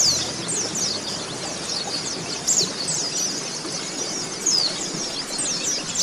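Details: Oriental white-eye (pleci) training song for caged birds: high, rapid twittering with scattered sharp descending whistles, steady background hiss.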